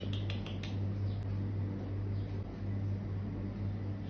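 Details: A steady electrical hum runs throughout, with a few quick metallic clicks at the start and one more tick shortly after; no animal call is heard.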